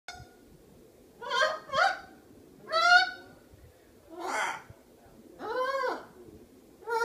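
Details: Pet Miligold macaw vocalising: a series of harsh, nasal squawks and honking calls, separated by pauses of a second or more, in a quiet room.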